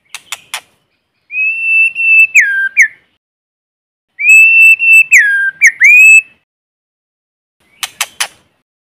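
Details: White-rumped shama decoy bird in forest, singing to provoke rivals: a level sustained whistle falling at its end into quick sweeping notes, given twice, with short clicks before and after and no background noise.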